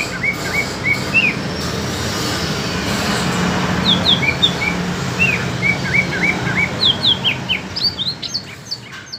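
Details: Greater green leafbirds, an East Kalimantan bird against an Alas Purwo Banyuwangi bird, in a song contest: bright slurred whistles repeated in short runs, growing denser toward the end, over a steady low droning hum.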